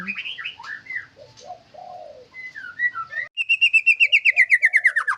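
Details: White-rumped shama song: varied slurred whistled phrases, then a rapid trill of about fourteen repeated descending notes, each sweeping downward.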